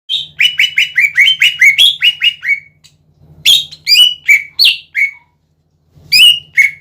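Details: Vigorously singing greater green leafbird (cucak ijo gacor), recorded as a lure to provoke other leafbirds to sing: a rapid run of about ten buzzy downslurred notes, then a pause and varied higher whistled phrases, over a steady low hum.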